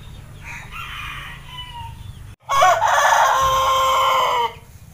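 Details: Morning crowing of a six-month-old Pelung rooster that has only recently begun to crow: a fainter crow, then after a short gap a louder, full harmonic crow lasting about two seconds, rough at onset and steadier toward the end.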